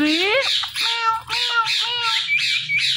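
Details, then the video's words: Indian ringneck parakeet saying "Mitthu" over and over: a loud rising harmonic note, then a steady series of shrill, squawky, voice-like syllables about every half second. "Talking Parrot Saying Mitthu Mitthu"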